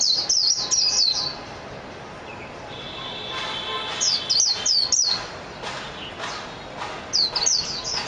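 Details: Japanese white-eye (mejiro) giving short bursts of rapid, high, sweet twittering chirps separated by pauses, with a faint steady whine and some soft clicks in between.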